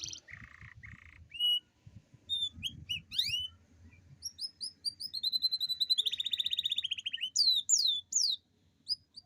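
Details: A canary sings a long rolling song intended to get lazy canaries singing: buzzy notes open it, then scattered whistled chips, a rapid, steady rolling trill, and fast downward sweeps at the end.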